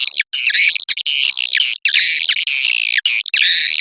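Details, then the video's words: Edible-nest swiftlet calling sound in the Putri Serayi style, used to attract swiftlets into nesting houses: dense, continuous buzzy twittering chirps, broken by brief gaps. "Suara panggil burung walet Sp_Putri Serayi"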